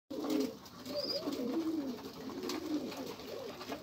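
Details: Pigeon cooing: low, soft, wavering coos rising and falling in pitch, fairly quiet, with a thin high whistle and light clicks in the background.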